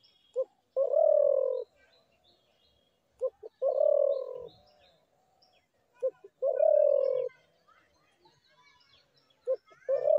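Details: Spotted dove repeating a phrase about every three seconds: a short clipped note and then a long, slightly falling, hollow coo. Soft chirps from small birds are heard between phrases.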